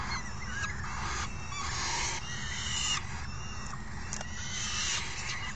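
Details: Falcon nestlings call for food as they are fed by a parent on June 3 2018. Softer, husky screeching bursts with occasional clearer whistled notes, over a persistent low rumble.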